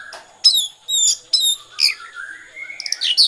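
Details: Singing Oriental magpie-robin, konslet style: loud, buzzy downslurred notes in quick succession, then a long rising and falling whistled glide ending in harsh high chatter.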